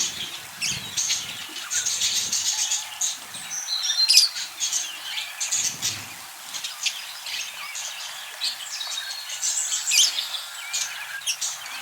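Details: Budgerigars chattering: a dense, continuous wash of overlapping high chirps, warbles and occasional harsh squawks from many birds, with no pauses and faint low thumps underneath.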